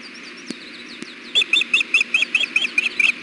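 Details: Osprey female on the nest fussing to be fed, 93 degrees in June: after two clicks, a rapid series of loud, sharp whistled chirps, about nine notes at a steady pace, over background hum.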